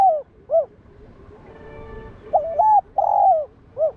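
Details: Spotted dove, locally called cu đất, cooing to provoke and train other doves. Short, low, hooted coo notes come in an uneven run of five, two of them drawn out and wavering, over faint background hum.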